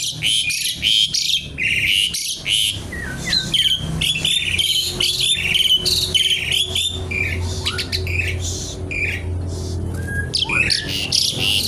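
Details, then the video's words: Javan pied starling singing energetically and continuously: dense chattering phrases of harsh rasps, crackles and short whistled slurs, repeated rapidly with scarcely any pause throughout. "jalak suren gacor kretekan nggaruda"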